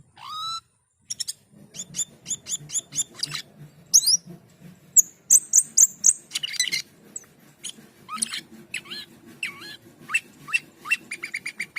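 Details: Asian pied starling in sustained, vigorous song: a long varied run of crisp clicks, quick chirps, piercing whistles and rising slurred notes, delivered rapidly over a soft low hum.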